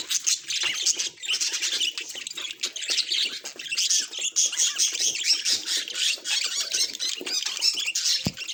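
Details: Domestic budgerigar in full chatter, a dense run of high warbles, clicks and sharp chirps in rapid pulses, with louder squawky notes scattered through and no real pauses.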